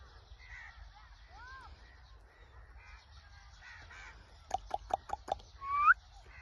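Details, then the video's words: Blue Indian ringneck parrot with soft, voice-like babbling that rises and falls, then five quick sharp clicks or chirps and a bright upward-sliding whistle. "Blue parrot natural sound ringneck parrot talking video chirping parrot video parrot talking voice"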